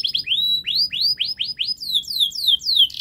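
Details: Canary singing a fast model song for young canaries: a series of rising and falling swept whistled notes repeated about four per second, then descending slurred notes.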